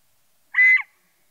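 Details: Scaled quail giving a single loud, nasal, harmonic-rich note lasting about a third of a second, steady and slightly tinny, against a silent background.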